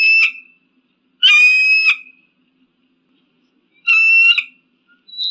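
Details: Eagle giving three harsh screams, each under a second and full of overtones, spaced two to three seconds apart, ending with a thin high whistle.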